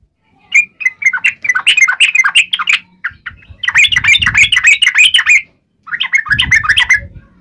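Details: Combative uplik ropel song of a yellow-vented bulbul, played to make birds respond: three long bursts of dense, bubbling chatter with wavering notes, over faint low rumbling.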